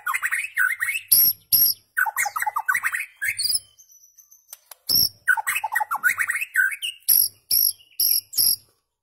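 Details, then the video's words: White-rumped shama song used to tutor goldfinches and hybrids toward rare notes: dense bursts of varied chattering, scratchy notes mixed with sharp high clicks, in phrases broken by short pauses. "تغريد عصفور الشاما صائد الذباب الهندي لتلقين الحسون وهجينه للحصول على نوطات نادرة جداً"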